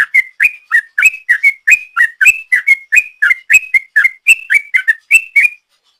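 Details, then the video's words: Sooty-headed bulbul in energetic song, a long ropel used as a lure: quick regular whistled notes, alternating low dipping and high rising slurs, about four per second, ending abruptly in silence. "Trucuk Gacor ropel panjang,suara ropel trucuk"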